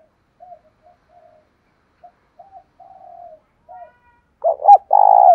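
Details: Fighting lure call of a spotted dove: a run of faint, spaced soft coos building up to loud, hoarse clipped coos and a sustained vibrating coo at the end, clean background.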